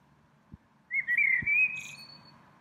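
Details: Springtime song of one small bird in a tree: two soft clicks, then a smooth, slightly rising whistled phrase with fine trilled wavering that fades away.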